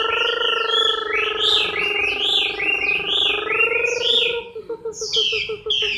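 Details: Chinese hwamei moulting in October 2015, singing loud, rich phrases of slurred rising and falling whistles, with a steady low tonal hum beneath and a stuttering run of notes near the end.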